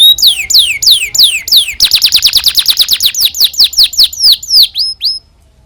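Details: Canary singing, used to train young canaries: a run of clear downward-sliding whistled notes, then faster, tightly repeated slurred notes at about three per second before a short pause.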